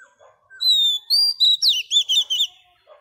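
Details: Female Oriental magpie-robin, wild-caught, singing to stimulate males: a clear level whistle breaks into roughly seven quick, looping, chattering notes in one loud phrase.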